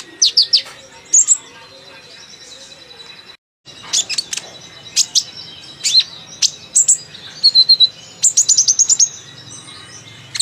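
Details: A chatty sunbird chatters busily in sharp, high, thin chips and twittering notes, delivered in quick irregular bursts with a brief pause partway through.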